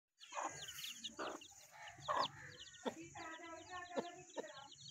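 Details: Angry hen with her chicks, reacting when someone tries to catch them. She gives harsh, broken clucks and squawks in uneven bursts, while the chicks keep up a thin, high peeping throughout.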